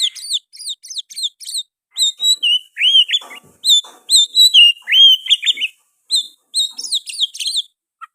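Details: Energetic oriental magpie-robin song with sooty-headed bulbul phrases inserted: fast high twittering trills, clear level whistles, and loud swooping whistled slurs delivered in quick succession with brief gaps.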